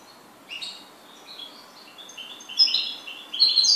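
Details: A goldfinch delivers a lively, rambling song of liquid chirps and slurred notes that builds into louder, bright twittering and buzzy flourishes toward the end.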